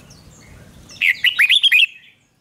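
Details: Red-whiskered bulbul (Pycnonotus jocosus), song: singing duel to provoke rival bulbuls.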